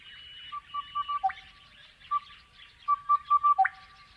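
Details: Crested bellbird song in the Australian outback: series of rich ringing notes repeated quickly, each phrase closing with a deeper cow-bell like note, two phrases heard, faint chattering of other birds behind.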